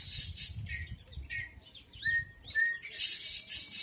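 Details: Lure song of a male white-breasted Oriental magpie-robin, meant to prompt other birds to sing. Rough, hissing bursts alternate with clear descending whistled slurs in the middle, over a steady low background hum.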